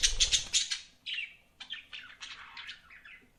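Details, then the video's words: Pet budgerigars give a quick series of bright, buzzy chirps, loudest in a rapid run at the start, then softer descending warbled notes. "BUDGIES CHIRPING SOUND"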